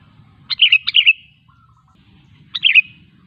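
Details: Sooty-headed bulbul in steady song, used as a lure to get other bulbuls singing: two short bubbly, warbled phrases, the first doubled, the second after a two-second pause, all clear and bright, with a faint low hum beneath.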